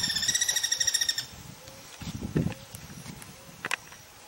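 A guira cuckoo gives a rapid run of about a dozen nasal notes in just over a second, followed by soft rustling and a few faint clicks.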